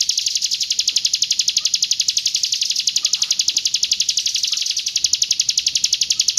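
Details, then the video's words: A Hill prinia from East Java delivers a continuous roll tembak: bright, high, machine-like trill of quick pulses, about four a second, holding an unchanging rhythm from start to finish. "PRENJAK GUNUNG ROLL TEMBAK"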